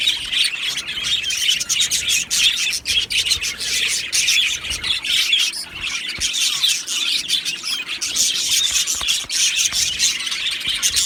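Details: Colony of Australian budgies in an aviary singing and chirping together, a busy unbroken chorus of high chirps, squawks and warbles from many birds.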